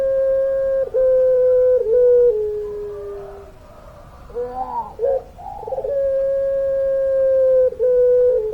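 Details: Puter pelung dove giving long, steady cooing notes in quick succession with small dips between them, a lower sliding tone, a rough gurgling middle section, then another long even coo held for nearly two seconds.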